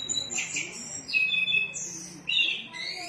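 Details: An orange-headed thrush in full, lively song gives shrill, fast phrases of whistles and sliding notes, mostly very high, in rapid overlapping bursts with only short pauses between them.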